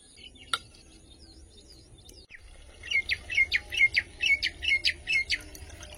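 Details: Common Myna calling in the morning, at a place where many kinds of birds can be heard. A quiet start gives way to a loud run of sharp repeated chirping notes, about a dozen in three seconds, with faint background noise.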